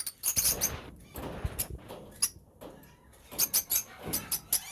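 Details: Adult lovebirds in an aviary holding pairs of peach-faced, masked and Fisher's lovebirds, giving sharp, high squeaky chirps in quick irregular bursts, several overlapping, with brief quieter gaps between clusters.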